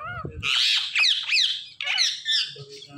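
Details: Pet Indian ringneck parakeet giving loud, harsh, shrill screeches in a few long raspy bursts, briefly preceded by a higher whistled syllable.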